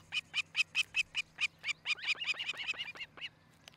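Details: Osprey at a Charlo, Montana nest, camera view, July 2018 morning: quick, repeated high, whistled chirps about four per second, growing busier and overlapping, with some notes dropping in pitch, then fading out.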